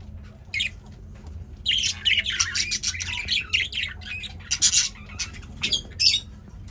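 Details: Male budgerigars active in a cage break into loud bouts of scratchy squawks and warbling chatter after a quieter start, ending with short sharp chirps.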